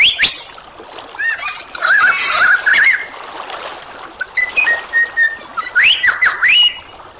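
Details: Varied mimicking song of a superb lyrebird: a sharp opening note, warbled twittering phrases, short level whistles, and finally bouncing up-and-down whistles over a soft rushing background.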